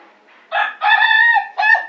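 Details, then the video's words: Ayam Ketawa rooster of national contest quality crowing a short, loud, even-pitched harmonic note between two brief syllables. "Suara Kokok Ayam Ketawa Kwalitas Kontes Nasional"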